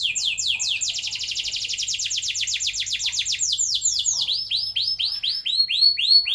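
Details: Canary song used as a lure to get young canaries singing long rolls: an unbroken, very fast trill of high, down-slurred notes, slowing after four seconds into evenly spaced looping whistles.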